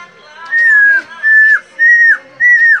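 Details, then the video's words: Caged helmeted friarbird, teased and whistling without pause, gives four long, steady whistled notes, each ending in a short downward slur, evenly paced. "KOAK KAOK PANDAI BERSIUL"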